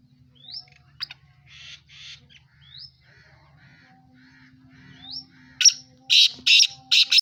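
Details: A black francolin in Sindh, Pakistan, ends with a burst of loud, harsh, rasping notes, while thin upward whistles from another bird repeat earlier over a steady low hum.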